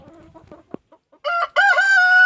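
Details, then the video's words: Rooster waking on a foggy, wet, cold dawn: soft clucks from chickens, then a loud crow that starts in two short notes and ends in a long, drawn-out held tone. "the rooster wakes up"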